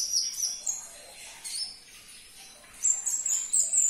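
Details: Sunbird singing in thin, piercing whistles and chirps, played to stir a quiet caged sunbird into answering: sustained high notes at start and end, a softer gap in the middle.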